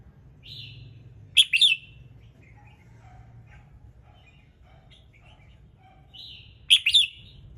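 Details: In the morning a red-whiskered bulbul sings to spur other birds into song: two loud chirpy warbled phrases, each opened by a soft whistle, with faint distant chirps between them and a low hum.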